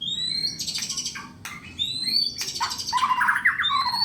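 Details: White-rumped shama kept for song contests, singing long rising whistles, dense chattering bursts and high sweeping notes in quick succession, with a steady low background rumble.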